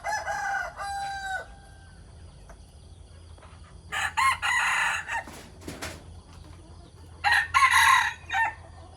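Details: Rooster crowing in the morning: a long, harsh, strained crow at the start, then two more loud, ragged crows later, separated by quiet gaps with a faint steady hum.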